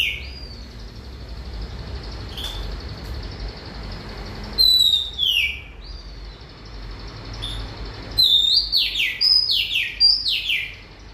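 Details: Oriental magpie-robin singing a run of loud, clear whistles, each sliding sharply downward, first sparse and then coming rapidly in a fast tumbling series near the end, over steady low hum.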